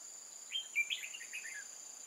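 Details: Red-whiskered bulbul song recorded at a bird trap in old forest, 8 October 2018: one brief bubbly phrase of a few slurred whistled notes, set against a continuous shrill insect hum.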